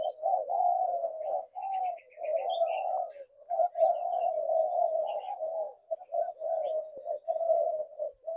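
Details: Spotted dove giving low, hollow cooing in a run of drawn-out phrases broken by short pauses, with faint higher chirps from other small birds in the background.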